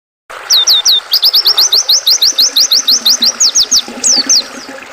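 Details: Oriental white-eye, used to calm and train caged songbirds, singing a fast run of high, sharply downslurred chirps, roughly three per second, with a few longer sweeping notes near the end. A faint river murmur runs underneath.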